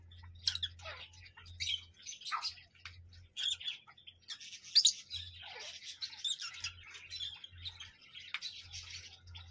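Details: Parrot uttering sporadic harsh squawks and thin squeaks, one louder burst near the middle, separated by short quiet spells and accompanied by a faint low hum.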